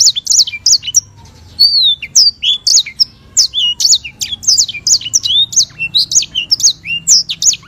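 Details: White-rumped seedeater (sanger), an African relative of the canary, in a long rolling, chatty master song for training songbirds: rapid high chirps and sweeping whistled notes repeated almost without pause, one short break near two seconds.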